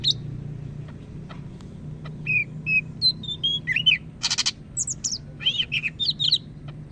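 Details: Greater green leafbird from Medan, North Sumatra, in loud song: soft whistled notes build to a harsh burst, then quick high arched chirps in rapid succession, low hum behind.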